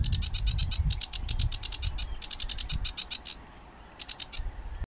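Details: A sedge warbler singing in June 2011 gives a fast, harsh, chattering run of high notes, several per second with brief pauses, over a steady low rumble of wind.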